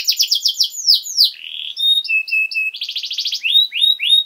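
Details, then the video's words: Canary singing steadily, recorded as a model song for young birds: fast trills and downslurs, a string of sustained lower whistles, then a buzzy rattle and rising upslurred notes. "Canary Singing!Masteran Kenari Gacor Durasi Panjang 1 Titik Bagus Untuk PAUD Cantante Canario Actual"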